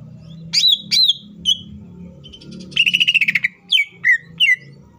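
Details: Green leafbird singing a varied song used as a lure for other leafbirds: loud down-slurred whistles, a rapid trilled rattle, then more spaced sharp descending whistles over a low background hum.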